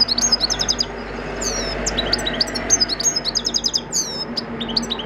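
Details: Cage-bred European goldfinch, 2014, singing for natural song training: fast, high tinkling twitters and liquid trills broken by buzzy downslurred notes, in bursts with short pauses, over a steady low hum.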